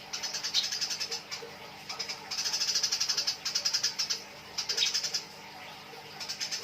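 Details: Fighting Eurasian tree sparrows give nyrecet chattering, fast runs of bright high-pitched chirps in bursts lasting about a second, separated by brief gaps, with a steady faint hum beneath.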